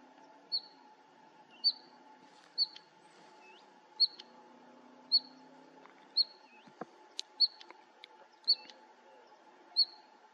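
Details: Bluethroat recorded at Fokstumyr nature reserve, 2021, repeating a bright, high, clipped note about once a second, ten times in a row, with a few faint ticks and a constant low hum behind.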